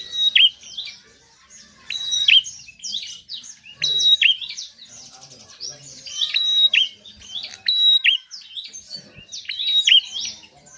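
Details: Bar-winged prinia song used to get reluctant birds to sing: high chirping phrases repeated about every two seconds, each with a sharp flat whistle and a quick down-up note, with faint low background noise.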